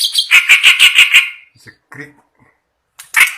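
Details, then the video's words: A kept clamorous reed warbler singing loudly, day and night: a row of about six strident, grating notes at a steady quick pace, a few softer scattered calls, then another loud harsh burst. "burung kerak basi gacor ngamuk siang malam"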